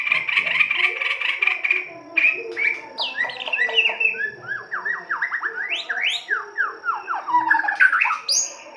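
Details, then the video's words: White-rumped shama giving rough-style lure song to prompt singing: a buzzy chatter, then a varied run of loud whistled notes. Many notes swoop steeply up or down, some very high and sharp. "Pancingan kicau murai batu kasar"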